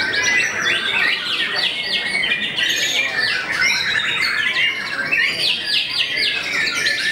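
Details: A celebrated white-rumped shama that makes rivals back off sings a bright, crowded sequence of whistles, quick descending slurs and repeated sharp notes, steady and loud from start to finish.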